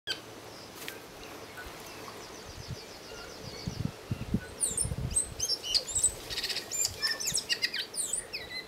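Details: Tui singing after a few quiet seconds: a mix of sharp clicks, short whistled slurs and high buzzy notes, loosely spaced over steady low background rumble and faint thumps.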